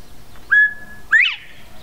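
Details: Northern Bobwhite (Colinus virginianus) at Goose Lake Prairie State Park, Illinois, whistles a clear, level note, then a louder, sharply rising slurred whistle: the familiar two-part 'bob-WHITE' song/call.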